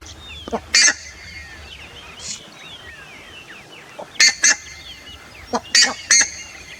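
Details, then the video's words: Buff-necked ibis calls, loud harsh honking notes in clusters of two to four, separated by pauses, with softer bird chatter between them. "O canto das curicacas"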